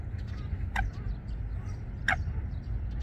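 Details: Two sharp, loud, slightly harsh calls about 1.3 seconds apart from a Eurasian coot pair building a nest among water plants at Wangsong Lake, over low rumble and faint high bird twitters.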